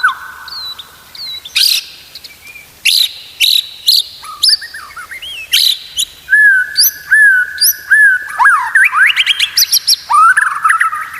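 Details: White-rumped shama song used to teach other shamas to sing steadily: scattered sharp high chips and short whistles, then a long flat whistle broken into pulses, followed by rising sweeps and fast trills.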